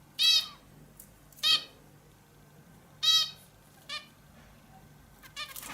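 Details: Indian bulbul uttering loud, buzzy, harmonic-rich squawks, three strong notes spaced irregularly about a second or more apart, followed by quieter notes and a short burst at the end.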